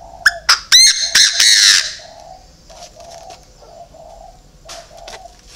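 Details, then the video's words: Decoy Chinese francolin bursting into a run of loud, harsh, ringing notes that quicken then stretch out, followed by soft repeated cooing of doves in the background. "chim đa đa mồi"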